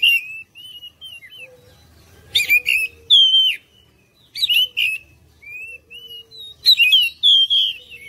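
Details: Oriental magpie-robin song for drawing other birds into song: soft rising whistles, then several phrases mixing harsh scratchy bursts with clear downward-sliding whistles.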